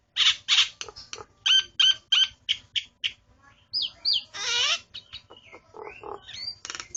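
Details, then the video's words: A person's own starling in song, delivering rapid harsh chacks and whistled notes, several rising and falling slurs and one long grating buzz, in irregular bursts roughly three per second. "Jalak ku kicau"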